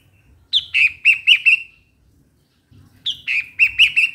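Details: Two lively phrases from a bulbul: a bright rising note, then four or five quick chirruping notes that trail off into a thin fading tone, separated by a short silence.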